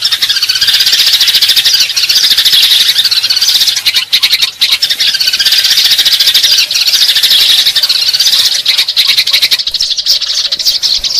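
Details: Eurasian tree sparrows used as lure audio: a loud, nonstop flock chorus of high, squeaky chirps and harsher squealing notes, dense and unbroken, with a few short gaps.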